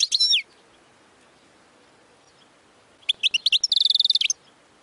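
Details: European goldfinch song: a short high twittered burst, a quiet pause of over two seconds, then a quick run of bright chirps that speeds into a fast, even trill before stopping.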